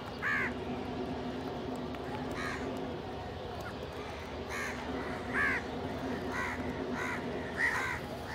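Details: Crows feeding together alongside pigeons, calling while competing for food: hoarse, harsh caws repeated irregularly about every one to two seconds, some overlapping, over a constant low background hum and noise.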